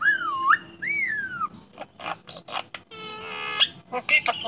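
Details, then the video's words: Champion talking starling: two long wavering whistles rising and falling, then harsh clicks, a buzzy steady harmonic note and scattered chirps. "Burung Jalak Bisa Bicara"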